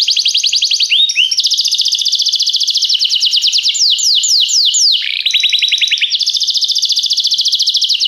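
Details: Canary song meant to train other canaries: a long unbroken run of high trilled tours, fast rattling phrases alternating with slower down-slurred notes, shifting pitch between sections.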